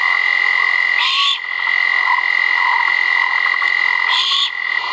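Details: Great horned owl chicks calling at a live-camera nest at Skidaway Audubon around feeding time (1.04.2022) give two harsh, hissing screeches about three seconds apart, over a steady, high frog chorus.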